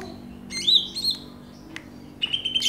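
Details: Greater green leafbird (cucak ijo), from a side-by-side of Banyuwangi and Kalimantan birds: sparse, clear whistled notes with a sliding high phrase, a sharp click, then a brighter whistled burst near the end over low background hum.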